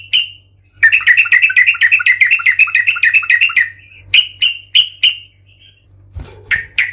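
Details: Fighting song of a yellow-vented bulbul, meant to provoke others: a three-second torrent of quick warbling chatter, followed by loud spaced chirps and a brief rough sound near the end, over a steady low hum.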